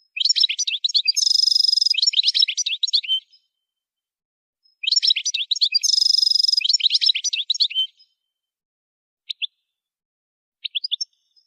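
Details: Goldfinch training song: two matching phrases of about three seconds each, every one a bright twitter around a harsh, rapid buzzing trill, separated by silence and followed by a few scattered single chirps.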